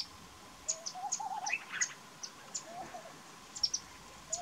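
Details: Common babbler calling: short, high, squeaky chirps scattered irregularly over four seconds, with soft, low, wavering whistled notes underneath from another bird and a steady faint background hiss.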